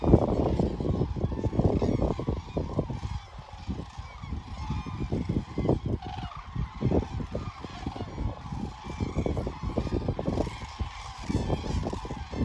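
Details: Common cranes at Hornborgasjön, Sweden, on 24 March 2024: a dense, continuous chorus of honking, trumpeting calls from many birds, with strong low rumbling background noise throughout.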